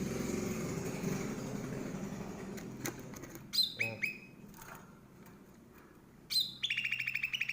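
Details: Chattering 'rewel' cucak rante bulbul from Aceh's forests, used as tutor song for cage birds: after a low rumble, clipped descending whistles, pauses, then a rapid burst of buzzy repeated notes ending the phrase.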